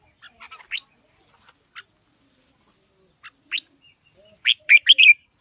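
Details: Red-whiskered bulbul, a wild-voiced fighting bird, singing in scattered bursts: a few soft chips, then louder clustered whistled notes near the end, with short silent gaps between phrases.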